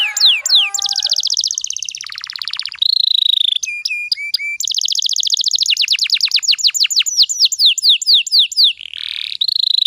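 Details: Canary lure song for young canaries: varied fast trills, a steady whistle, ringing repeated notes, long runs of descending whistled notes, and a closing whistled tone.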